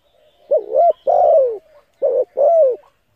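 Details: A spotted dove gives a lure coo meant to stimulate decoy birds. Two phrases follow closely, each made of a wobbling short note and then a longer, warm, falling coo. The setting is quiet.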